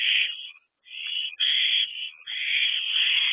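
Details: Nearly continuous rasping hiss from owlets in a nest box on an April evening, one or two with food, broken by only brief pauses.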